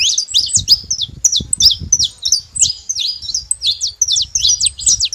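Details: Saffron finches in a noisy group: quick repeated high chirps and downslurred notes, about three per second, irregular, over a low rumbling background.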